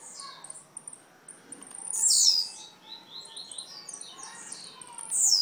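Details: Blue-black grassquit from Jacarepaguá, Rio de Janeiro, giving a loud high buzzy downslurred phrase amid a scatter of fainter high chirps, with another strong phrase at the end.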